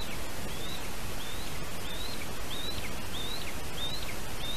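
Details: Lesser spotted eagle at a spruce nest in Latvia, 8:21 AM, 3 August 2019, as a bird brings in a small bird; thin, high, rising notes about one every two-thirds of a second over steady low wind and rustling.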